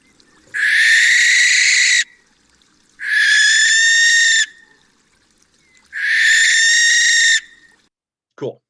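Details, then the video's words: Barn owl giving three long, harsh, hissing screeches, each about one and a half seconds, spaced roughly every three seconds, with a faint click at the end; a screechy shriek rather than a hoot, heard around old barns at night, Iowa. "let's listen to a little bit more"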